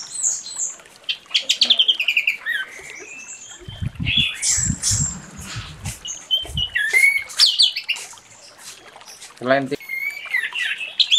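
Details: Orange-headed thrush in loud morning ngeplong song used as a lure: varied high whistles, slurred notes and chattering phrases in irregular bursts, with low muffled background sounds and one sharp buzzy burst near the end.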